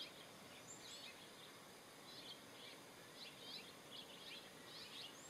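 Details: American robin at Pinnacles National Park, California, USA, 8 March 2023, on a fence and on the ground, giving faint clusters of short, clipped notes every second or so over a steady hiss, with a thin high whistle from another bird.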